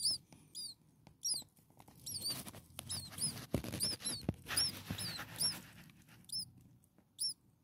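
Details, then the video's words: Six hungry starling nestlings a few days old give a busy stream of high thin arched squeaks, densest in the middle, mixed with scratching and rustling in the nest. "Hungry Six Starling baby birds day 1 Nest 2"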